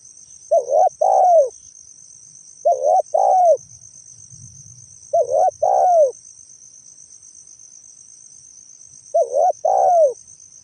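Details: Spotted dove calling, recording presented as a trapping lure: four repeated coo phrases about every three seconds, each a short double note then a drawn-out falling coo. A steady high whine and faint low rumbles lie beneath.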